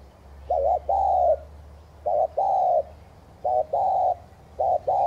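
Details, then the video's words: Spotted dove coo of the thúc gù style, used to rouse newly caught birds: four low two-part phrases, a brief wavering note then a sustained mellow coo, repeated roughly every 1.3 seconds. A faint low hum sits underneath. "Chim cu gáy THÚC GÙ kèm bổi kích bổi nhanh nổi hiệu quả"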